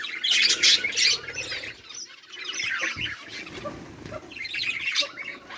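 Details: Budgerigars recorded on 18 July 2023 call in loud bursts of harsh chirps and squawks, dipping into softer warbling chatter before rising again.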